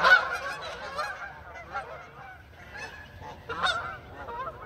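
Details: Canada geese flying as a flock around a neighborhood, a loud honk opening, then scattered quieter honks fading in and out.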